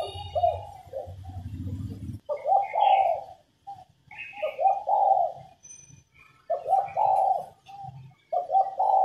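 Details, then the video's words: Spotted dove female giving coos meant to stir males to sing; bursts of low, rough coo phrases separated by pauses, a few higher chirps between them, a low rumble in the opening seconds. "Cu mái gáy kích bổi nhanh nổi, kích trống gù khách, luyện giọng cu gáy mồi"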